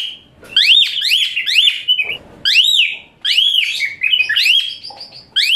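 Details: Asian pied starling song used as training material for other songbirds, in the rough 'tembakan kasar' style: loud, shrill whistled notes sweeping up then down, delivered in quick bursts with brief pauses and a few buzzy trills between.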